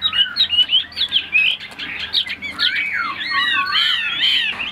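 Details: Captive tame Chinese hwamei in Vietnam delivering a dense, musical song of quick chattering whistles that build into long overlapping warbled phrases, loud and continuous.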